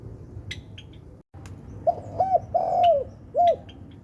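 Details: After nearly two seconds of quiet with small clicks, a spotted dove gives its melodious song: a few short soft coos, a long falling drawn-out coo, and one closing rounded note.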